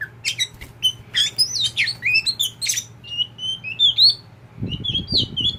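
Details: Tame caged oriental magpie-robin of the kacer poci type, kept as a companion bird, singing a rapid, varied string of sweet whistled notes, slurred upsweeps and sharp chips, over a steady low hum, with a brief rustling burst at the end.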